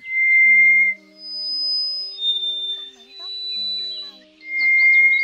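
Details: Scaly thrush lure call used for night net-trapping of migrating birds: long, pure, steady whistles, each held about a second with short gaps, over low humming tones that sound like music.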